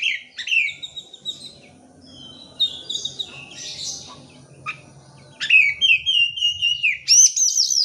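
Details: Singing oriental magpie-robin used as a lure for birds reluctant to sing: varied high chirps and buzzy notes over a steady low hum, ending in loud, clear, sliding whistles and a sharp trill.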